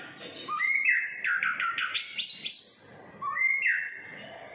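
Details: Morning song of a six-and-a-half-month-old caged white-rumped shama in Singapore: rapid sweet whistled phrases jumping in pitch, with quick twittering trills in the middle and a rising whistle near the end.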